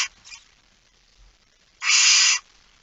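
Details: Barn owl at night in a nest box, Fryslân, Netherlands, 13 September 2019, chick present: one loud drawn-out harsh hiss lasting about half a second, preceded by faint scratchy rustling.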